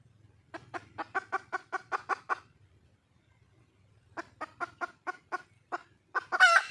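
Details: Female red junglefowl seeking a mate: a steady run of about ten quick, dry clucks, a pause, then another run that slows and ends with a loud rasping squawk.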